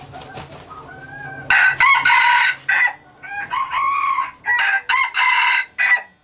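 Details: Male hybrid red junglefowl of a Laos strain used for breeding crows repeatedly: loud, hoarse, choppy phrases in two long bursts of several segments each, preceded by faint thin whistles.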